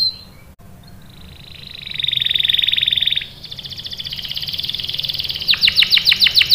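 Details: Canary singing as a prompt for other canaries to respond: a long whistled trill rising in loudness, then a rapid pulsed roll and a series of sharp repeated chip notes.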